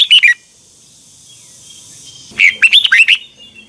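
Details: Bulbul, the Red-whiskered kind, heard in a 2021 morning training song in the double twisting voice: a short burst of whistled notes, a two-second pause, then a livelier run of five or six slurred, warbling notes.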